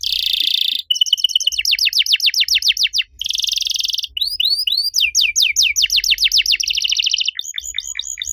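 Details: Canary master song used to provoke other canaries into song: rapidly changing tours of buzzy rolls, fast ticking trills, looping slurred whistles and sweeping descending notes, one after another without pause.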